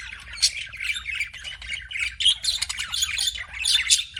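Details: Pet budgerigar chirping in a continuous, busy warble of chattering squeaks and scratchy twitters with a few sharper high notes, running without pause.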